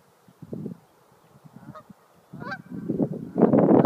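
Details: Geese on their territory, honking at an intruding dog: short nasal honks come in bursts, then a loud overlapping chorus of harsh calls builds at the end.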